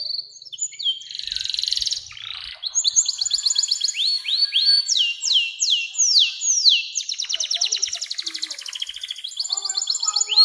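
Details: Canary delivering a long 'nembak' song, meant to prompt young canaries to sing and to tutor birds: a high buzzy opening, then series of rapid sweeping trills, each run of repeated notes changing pace, with no other sounds.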